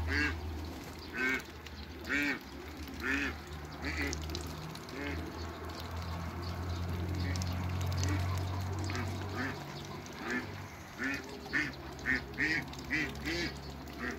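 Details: Backyard Cayuga and Muscovy hybrid ducks giving short, harsh quacks in loose bursts about once a second, over a steady low hum and softer cooing-like murmurs.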